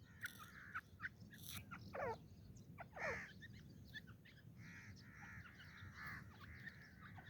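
Grey francolin giving harsh, grating notes with a few sharp rising strokes, then a steady run of buzzy repeated phrases about one per second over a low rumble.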